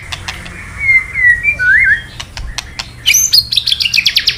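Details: White-rumped shama, a male stirred by played calls, sings: smooth rising and falling whistles, then a quick series of sharp high descending chirps and clicks, with faint low room hum.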